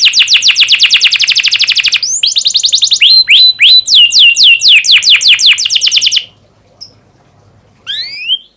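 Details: Domestic canary, a young caged bird, kept as a tutor recording for training other canaries to sing; rapid trills of repeated downward-sweeping notes, then a series of rising and falling slurred whistles, a pause, and a brief final phrase.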